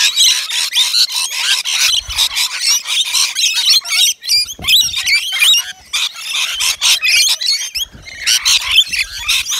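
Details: Rainbow lorikeets, native Australian birds, gathered at a balcony nectar feeder serving wet lori mix; dense overlapping shrill screeches and chattering squawks from many birds fill the clip almost without pause.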